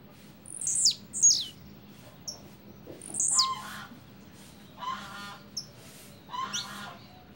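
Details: Blue-black grassquit (Volatinia jacarina), double song.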